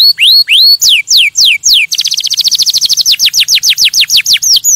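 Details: Canary singing to stimulate other birds, beginning with loud, slow, descending swoops, then breaking into a very fast trill that slows into evenly spaced falling whistles.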